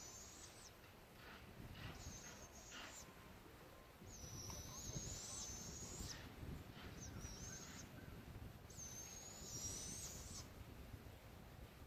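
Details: Two young barred owls in The Villages, Florida, giving long, high, hissing screeches, each about one to two seconds, repeated at intervals of roughly two to four seconds over a steady background hiss.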